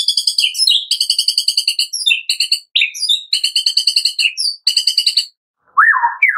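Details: Afternoon 'tembakan' song of a white-rumped shama (murai batu), played to coax another shama into singing: dense rapid chattering bursts of ringing, harmonic notes in fast series, ending with a short falling whistle.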